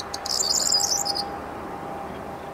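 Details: A corn bunting at NSG Rheindürkheimer Spieß nature reserve, Worms, Germany, on 23 May 2022 at 19:00 gives one dry, high, jangling burst of about a second, like shaken keys, over a faint steady hum.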